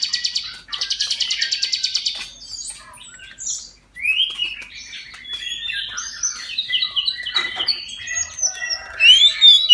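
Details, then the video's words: Oriental magpie-robin singing at midday, played to encourage other magpie-robins to sing; opens with fast buzzy rattling bursts, then a rich run of varied whistled rising and falling notes. "KACER NGEPLONG SIANG HARI COCOK UNTUK PANCINGAN KACER AGAR NGEPLONG DAN RAJIN BUNYI"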